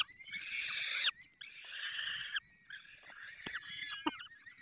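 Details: Falcons at a nest in the Barycz Valley while being fed: long harsh, rasping wheezes about a second each, followed by shorter hoarse squeals and a few sharp clicks, over faint low background rumble.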